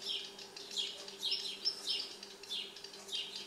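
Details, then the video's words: A baby redstart that had just left the nest sits on a balcony on the evening of May 31, fed by its parents, giving thin, high chirps in quick bursts, several in three seconds, over a faint steady hum. "Baby Redstart"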